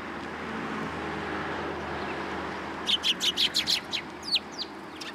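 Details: Sparrows arriving at a Tenmangu shrine first thing in the morning on 27 September 2022 to be fed: after a few quiet seconds, a quick burst of bright, high chirps, then a few looser notes over a steady low hum.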